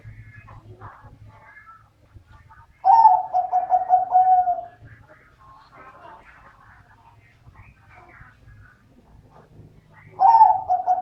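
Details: Middle-voice dove cooing in a quiet setting: a loud pulsed phrase lasting about two seconds with a gently falling tone, soft chirps in between, and another phrase starting at the end.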